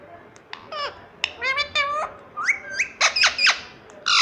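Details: Pet parrot talking: a run of short, high, harmonic word-like syllables with bending pitch, some sliding down and others rising, in bursts over about four seconds, ending in a louder harsh note.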